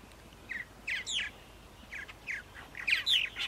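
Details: Purple martin chirps on a spring morning, April 14, 2012, Center Moriches, Long Island, New York: scattered short, throaty, downward-slurred notes with brief gaps, about eight notes.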